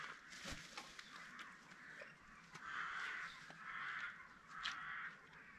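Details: Spalding emerald peafowl at a peacock farm: drawn-out nasal calls, each lasting about a second, repeated three times in the latter half, over faint background farm noise and a few clicks.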